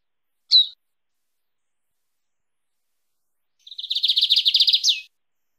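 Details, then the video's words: Lined seedeater singing in the canto mateiro style: one sharp high note, a long pause, then a fast, even, buzzy trill of rapidly repeated notes lasting over a second and ending in an upswept note. "Bigodinho Canto Mateiro"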